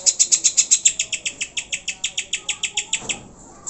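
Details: Greater green leafbird, sung to provoke pet birds: a clean, steady string of high, sharp notes around four per second for three seconds, then quiet.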